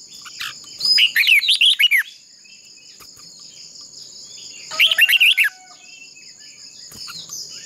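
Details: Decoy red-whiskered bulbul giving contest-style fighting song, used to train and stir other bulbuls to sing: two bursts of rapid warbled, rising-and-falling notes about a second long, over a steady high insect-like whine.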